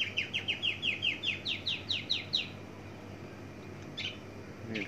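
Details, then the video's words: Javan bush lark of the parva form delivering a varied song burst: about a dozen rapid downward-sweeping chirps in a steady series, followed by quieter scattered high notes against a low constant hum. "Tembakan variasi branjangan parva"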